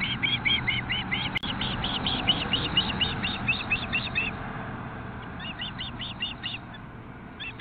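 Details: Ospreys at a nest in Nelson, British Columbia, on 25 June 2016 at 5:33 pm, as one brings a fish, its sixth. Rapid bursts of sharp, high whistled chirps, about two per second, pause briefly, then resume over a steady low hum.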